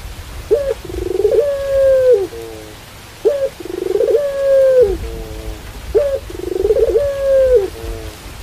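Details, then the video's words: Barbary dove in the pelung style, rain falling behind it, gives three coo phrases. Each begins with a short rising note, then a long level mellow coo ending in a lower falling tail, roughly every three seconds. "Suara Puter Pelung Diiringi Suara Hujan"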